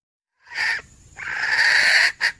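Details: Wild red junglefowl hen calling to attract males, recorded 17 February 2021: a short rasping note, then a long, loud, drawn-out harsh cackle ending in a brief clipped note.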